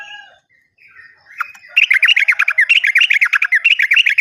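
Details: Lure recording of a yellow-vented bulbul meant to stir silent or freshly caught birds into song. A few soft notes open into a fast, dense burst of chattering, bubbly phrases that runs unbroken to the end.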